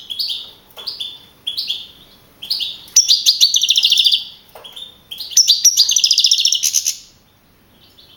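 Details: Prize-winning young European goldfinch from a 2012 singing contest in Navalcarnero, Madrid region; repeated short twittered phrases about every half second, then two long fast buzzy trilled runs.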